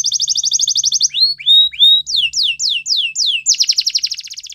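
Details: Belgian canary training song opening with a fast, even high trill, followed by upward-swept whistles and a run of loud downward-slurred notes, ending in another rapid rolling trill.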